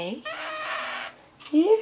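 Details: Pet male scarlet-chested parakeet, a month younger than his female companion, gives one loud harsh raspy cry under a second long, framed by brief bits of a woman's reassuring voice.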